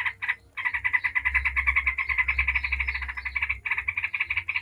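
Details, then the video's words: Yellow-vented bulbul's 'ngebren' lure song, meant to get other bulbuls singing: two short notes, a gap, then a continuous rapid stream of bubbling, chattering notes lasting several seconds, above a low hum. "Trucuk ngebren bikin ribut trucuk manapun dijamin langsung nyaut ribut"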